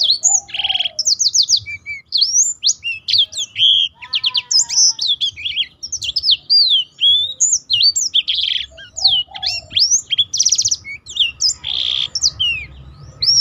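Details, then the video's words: Black-throated canary singing gacor, used to tutor other birds and expand their song repertoire: a dense, fast run of sharp whistled sweeps, buzzy trills and rapid chirps, almost without pause, with faint low rumble behind. "burung blackthrout lain pun ikut tergoda berbunyi."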